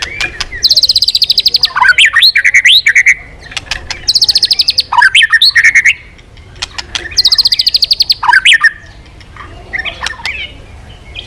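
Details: Fierce white-rumped shama giving harsh, rapid rattling trills mixed with slurred whistles, the grating burst repeated three times about every three seconds.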